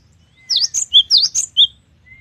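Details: Cinereous tit, locally gelatik batu, in lively gacor singing full of variation: a quick burst of about six sharp, high notes mixing V-shaped sweeps and short whistled slurs, over a faint low hum.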